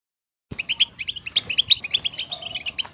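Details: European goldfinches chattering as a group to encourage singing: after half a second of silence, quick bright double-toned chirps follow each other rapidly.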